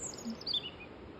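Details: A European Robin in Ventnor sings loudly from very close by, a brief fragment of high, thin, tinkling notes that dip and waver, over faint outdoor background hiss before rain.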